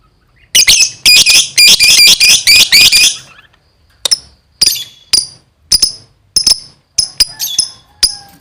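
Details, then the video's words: Lovebird singing in lively, nonstop gacor style: a dense burst of high, shrill chattering chirps for about three seconds, then separate sharp clicking chirps spaced roughly half a second apart. "suaranya gacor love bird"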